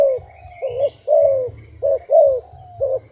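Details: Soft hooting coos from a wild dove, short and long notes alternating in uneven pairs. Beneath them runs a faint low hum and a thin higher chirp.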